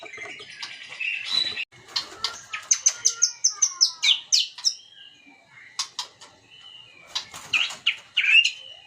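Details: White-rumped shama song used as a lure to stir other birds into singing: a rapid run of sharp, high chips and short whistles, then a quieter gap and further bursts of bright notes near the end.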